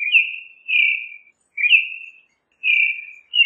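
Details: Creamy-bellied thrush singing: a string of long, slurred whistles that rise quickly then trail downward, about one per second, in a quiet setting.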